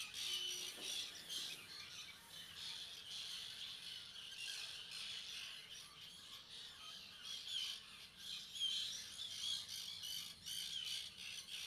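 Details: Juvenile common terns at Seaforth Local Nature Reserve, Liverpool, 31 August 2015, where several hundred pairs breed, keep up a dense, continuous chorus of harsh, high, squeaky calls from many birds overlapping without pause.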